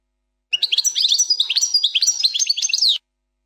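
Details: One unbroken 'plak mine' phrase from a goldfinch, sung without mistakes: about two and a half seconds of rapid, tinkling chatter mixing short chips with rolling trills, closing on a falling slur.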